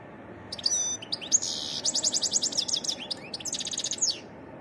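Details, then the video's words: Wild European goldfinch in varied song: a quick high trill, then a long run of rapid liquid twittering notes, rising and falling, ending in a buzzy rattling phrase, set against a faint low hum. "تغريد حسون متنوع"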